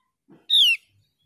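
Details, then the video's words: A Javan grey-throated white-eye (opior jawa) lure sound, meant to get a quiet bird singing again: a single clear, high whistled note slurring downward, about a quarter-second long, preceded by a soft low thump. "Pancingan opior jawa malas bunyi agar gacor kembali"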